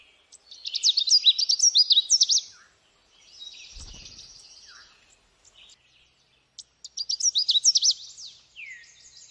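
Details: Canada warbler singing two loud, rapid, jumbled phrases of sharp chipping and warbled notes, each about a second and a half long, at the start and near the end, with a softer, buzzy, scratchy passage between them.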